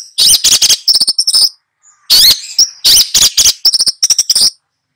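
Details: Long-tailed shrike master singing 'gacor' to tutor two young birds: dense clusters of shrill, scratchy high notes in quick runs, pausing briefly before starting again.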